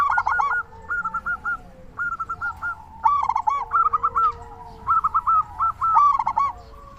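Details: Local zebra dove song for luring doves and raising their mood to call; continuous runs of short rolling coos and quick note series, with several louder bursts throughout.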